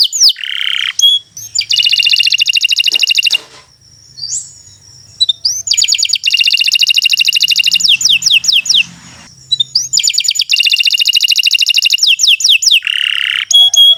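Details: Canary song intended to train other birds: bursts of dense buzzy trills and rattles separated by short quiet gaps, with a thin high whistle and scattered quick notes.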